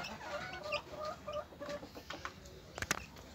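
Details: Domestic hen with her chicks: a run of low, short, harmonic clucks repeated about every third of a second, with faint high peeps from the chicks and a few sharp clicks near the end.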